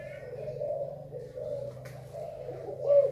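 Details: Spotted dove from Thailand, recorded 24 February 2019, giving low cooing notes around a steady hum, with a brief clearer note near the end; faint voices in a small indoor space.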